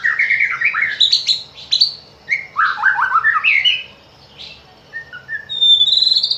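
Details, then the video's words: Song of a white-rumped shama, used as a lure for morning and afternoon: quick bursts of chattering repeated notes, then short whistles and a sharp high rising phrase after a brief pause. "Pancingan murai batu untuk pagi dan sore hari"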